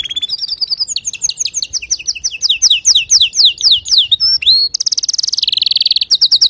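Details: Singing male canary, a song for teaching young canaries: a run of falling chirped notes, a swooping whistle, then a loud fast buzzy trill and quick pips.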